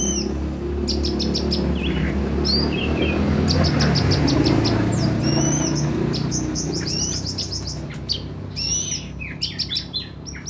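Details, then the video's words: Sunbird chirping used as a lure to get kept birds singing: scattered sharp high ticks and short whistled slurs, some rising, some falling, in loose bursts over a constant low rumbling background hum. "terapi ampuh buat konin biar gampang bunyi dan gacor"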